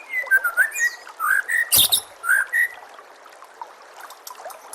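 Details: Short bursts of rich whistled notes from a white-rumped shama, a tutor recording for caged birds, broken by a loud sharp click mid-way, then quieter soft background notes.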